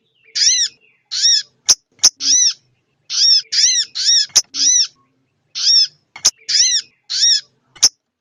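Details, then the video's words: Lure recording of a female sogon ontong calling to a male. Harsh arched notes come in pairs and short runs, broken by brief pauses and several loud snapping clicks. "suara pikat sogon ontong betina memanggil sang jantan"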